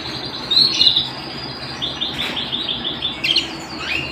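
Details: Canary singing at home, opening with bright whistled notes, then a series of quick repeated chirps and a final downward-sliding phrase.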